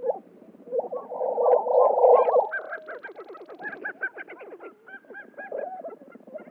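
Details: Male Lesser Prairie-Chickens at a spring lek in New Mexico, fighting and displaying to passing females: a loud, dense bubbling burst in the middle. It gives way to rapid clucking notes and higher yelping cackles from several birds.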